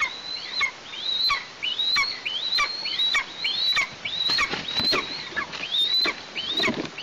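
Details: Juvenile Eastern imperial eagle at a nest in Tatarstan, 17 August 2023, days after the young made their first flight on 14 August. High, squealing calls rise and then drop steeply. They repeat roughly every 0.6 seconds in a steady, loud series.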